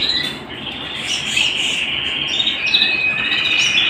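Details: Canary singing at home: a continuous, rapid rolling trill held at a steady high pitch, with brighter whistled notes flickering above it throughout. There are no other clear sounds.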